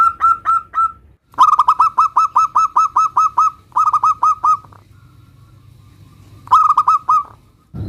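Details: Singing local zebra dove used to lure other doves into replying: quick rattling series of bright cooing notes, one long run of about fourteen, then shorter groups after a quiet stretch.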